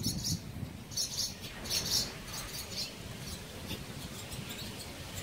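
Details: At a bridge colony in Mercer County Park, New Jersey, barn swallows give sharp, high twittering chirps in rapid groups during the first two seconds, fading to fainter notes amid low background rumble.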